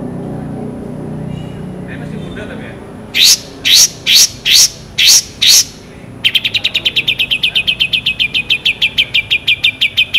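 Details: Long-tailed shrike in full varied song: soft chatter, then six loud sharp rising notes at steady intervals, switching to a rapid, even trill of clipped high notes lasting several seconds.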